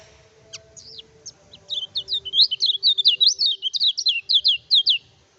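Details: Lemon-bellied white-eye, locally kecial kuning, in full song meant to stir up rival birds and tutor others: a few scattered sharp notes, then a rapid, rollicking string of high, wavering twitters lasting about three seconds.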